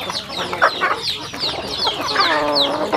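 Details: Farm chickens eating at a rural home: clear high downslurred peeps every fraction of a second, a few louder clucks, and a short buzzy trill near the end, over pecking taps.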